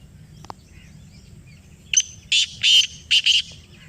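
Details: Answering a played call in Pakistan, a black francolin gives one grating phrase of a clipped note and four harsh, buzzy bursts in quick succession after a quiet start with a single faint tick.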